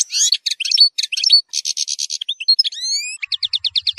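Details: European goldfinch 'zilzal' song with strong 'nahrat' phrases, meant for tutoring young goldfinches: mixed chirps and buzzy rattling notes, rising whistled sweeps, then a quick trill of evenly spaced notes.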